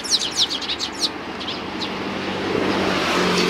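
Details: Sparrows coming to be fed on a shrine's front approach, 29 May 2020; a quick burst of sharp, high, descending chirps in the first second, then steady road traffic rumbling on.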